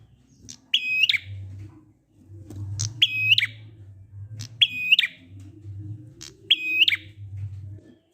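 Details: Prinia in 'ngalun' song style, meant to prompt quiet prinias to join in. Four sharp, buzzing high phrases, each with a quick flourish at the end, repeat roughly every two seconds over a deep background hum.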